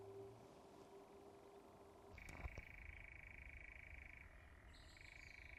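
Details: European nightjar churring at dusk on Surrey heathland in late June 2024: partway in, a faint, steady, even mechanical trill starts and holds unbroken to the end, with a sharp click just before it and faint higher tones later.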